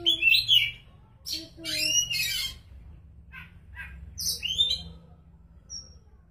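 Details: Gacor song of an oriental magpie-robin (kacer). Bright whistled notes alternate with loud harsh scratchy bursts, followed by a sweet high phrase and one thin final whistle, over quiet pauses.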